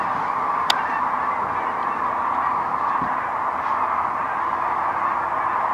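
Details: Massed cranes landing far off near Wood River, heard from a blind on March 8: a constant blended chorus of many calling birds, with one sharp click near the start.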